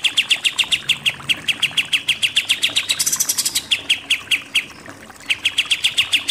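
A pied triller pours out a fast, high chatter of sharp repeated notes, several per second, with a brief brighter burst midway and a short pause near the end.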